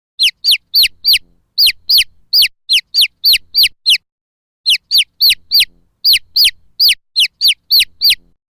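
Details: Chicken calling in a run of clear, high peeps, each note sliding sharply downward. They come quickly, about three per second, with one short silent gap partway through.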